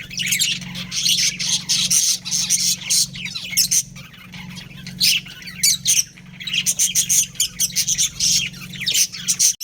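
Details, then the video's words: Budgerigars from a breeding pair keep up almost nonstop high chattering, with grating squawks and quick tweets packed closely together, broken by brief pauses, above a faint steady hum. "Adorable Budgies Chirping Sounds"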